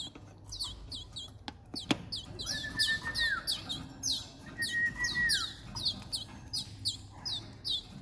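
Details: Timbrado canary aged two months, hand-fed extra powder food, uttering rapid high downslurred chirps in clusters, with two sustained lower whistled notes and a couple of sharp clicks.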